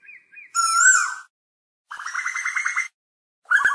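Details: An Asian koel calling its flock: a loud, ringing note, then a rapid bubbling run of about ten sharp kik notes, ending in a clipped burst, with silent gaps between.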